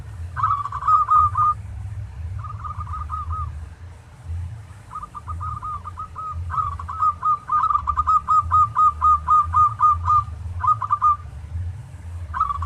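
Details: Zebra dove of a local type singing, used as a training master for other doves: repeated bursts of quick, evenly spaced cooing notes, some phrases long and rolling, with a constant low hum underneath.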